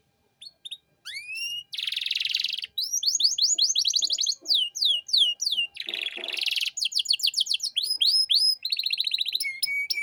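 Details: Canary master song for tutoring young birds: a few rising whistles, then harsh buzzy bursts alternating with fast trains of high falling notes, ending in a steady whistled tone.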